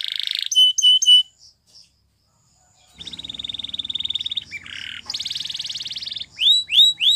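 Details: Canary training song with bright whistled notes and clipped chirps, a pause, then long rapid rattling rolls held for over a second each, ending in rising, sweeping whistles; faint low hum underneath.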